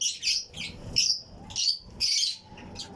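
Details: Fischer's and lutino lovebirds chirping in a flight colony aviary alongside other birds; rapid run of shrill, buzzy high chirps in quick bursts, loud and close, about five bursts in three seconds.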